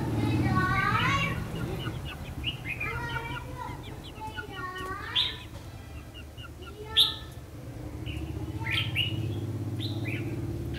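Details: Red-whiskered bulbul singing a fighting song during a lure-trapping session, 14 December 2015. A busy run of whistled, warbling notes, some rising and falling, with a few sharp loud accents, over steady low rumbling background noise.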